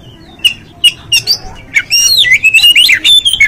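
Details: Oriental magpie-robin song used to provoke other magpie-robins into agitation and tail-spreading: a few sharp chips, then a rich run of varied whistles and slurred, rising and falling notes, high and lively.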